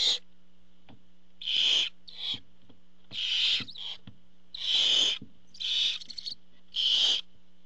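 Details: Barn owls on a nest cam as the father arrives with food: six harsh, hissing screeches, each about half a second long, given at uneven intervals, with faint clicks and a steady low hum between them.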